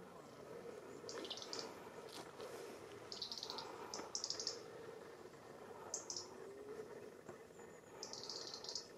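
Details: Birds in Alsace in autumn, October 2020: short, high chirping bursts scattered through the clip, several grouped near the middle and one at the end, over a steady low rural background hum.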